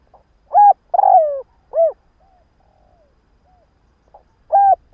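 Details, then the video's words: Spotted dove used as a morning decoy to attract wild doves: a clear three-note coo with a long rough falling middle note, faint soft notes in a pause, then a new phrase beginning. "Chim cu gáy mồi gáy gù15P sáng kích bổi"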